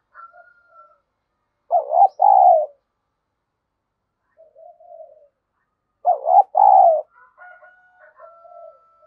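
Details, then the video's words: Spotted dove used as a decoy to provoke rivals. It gives two low two-part coos about four seconds apart, each a wavering note and a fuller sustained note, amid faint softer coos and a thin high whistle. "Chim Cu Mồi, cu gay kich boi nhanh noi gù+kích bổi hàng ngày"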